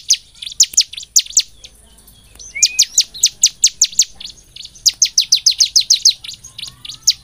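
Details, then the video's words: Bar-winged prinia, known as ciblek semi, used to coax other birds into song: scattered high chips, a pause with a soft rising note, then fast, accelerating strings of piercing descending notes. "Pancingan ciblek semi supaya gacor penuh emosi Pagi, siang dan malam|| ciblek gacor"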